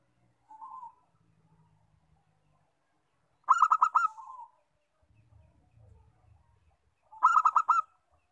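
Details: Local perkutut, or zebra dove, used to draw out singing. It gives two quick stuttering bursts of pulsed cooing notes about four seconds apart, with a soft lead-in coo and a low rumbling hum underneath.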